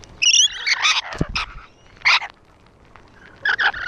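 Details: A few loud harsh screeches from rainbow lorikeets on a wall, spaced by short pauses, opening with a wavering shrill whistle.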